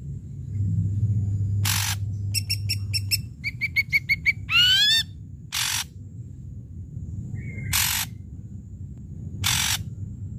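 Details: Ashy drongo singing loudly, a lure to draw quiet drongos into song: harsh broadband bursts, a run of stacked rapid chips, then a swept whistled note and more rasping blasts, over a low steady hum.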